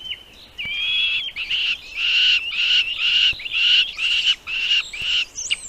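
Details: Hungry nestlings being fed by the mother bird, a quick run of harsh, buzzy, high chirps packed closely together, starting from a drawn-out thin whistle and ending with a sharp rising note.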